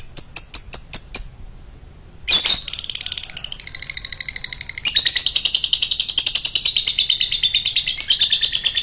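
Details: Lovebird in its long choking song: a row of evenly spaced sharp chips, a short pause, then a dense, rapid, unbroken chattering trill that runs on without a break to the end.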